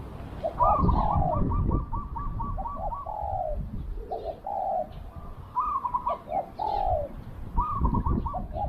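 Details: Decoy spotted dove calling to draw in wild doves. A run of quick clipped notes leads into mellow, descending coos, repeated in overlapping phrases with faint rustling and low background rumble.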